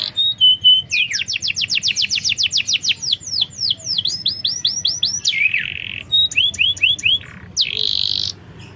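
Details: Canary song used as a lure to make a reluctant, quiet bird sing: rapid trains of high, sweeping down-slurred notes, a buzzy held note, then slower rising-falling phrases and short trills, varied and continuous.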